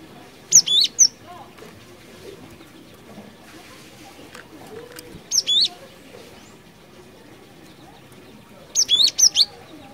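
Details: Cinereous tit song, recording used as a lure. Three bursts of quick high whistled notes, each group of two to four notes, separated by several seconds of faint background noise.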